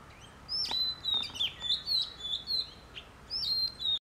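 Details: Oriental magpie-robin in Sagar, Shimoga, Karnataka, India: a lively run of high whistled notes, some sliding down, some flat, with sharp ticks between them, delivered rapidly and unevenly before the sound cuts off.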